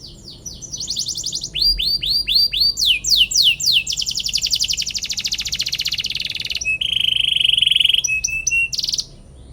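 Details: Canary singing a long chattering song meant to provoke rival birds into answering: fast high trills, a run of down-slurred sweeps, a sustained buzzy roll, then a steady whistled note before a final burst.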